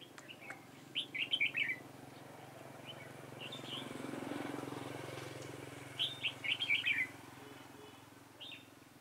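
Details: Red-whiskered bulbul song recorded during bulbul trapping on 4 February 2018: two short, quick, warbled phrases of rising and falling notes about five seconds apart, over a low rumbling hum that swells midway.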